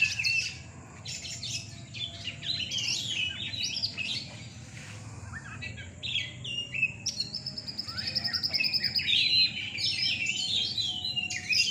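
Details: Caged Oriental magpie-robins at a night singing contest in Rungkut, Surabaya, pouring out continuous high, varied song of whistles, sweeps and chattering trills. Several birds overlap over a steady low crowd hum.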